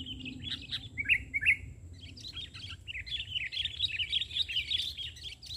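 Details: Sooty-headed bulbul, a lively singer, delivering its song from the ground instead of a branch while birds are being lured; two short clear slurred notes, then a dense bubbling run of warbled chatter over steady background hum.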